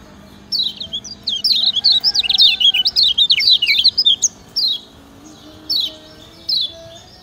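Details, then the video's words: Lemon-bellied white-eye (kecial kuning) from Lombok, used as master song to make lazy birds sing: a lively run of rapid, high, zigzagging chirps lasting about three seconds, followed by a few spaced sharp 'ciak' notes. "Ciak Ciak Ngejoss Kecial Kuning Ampuh Jadi Masteran"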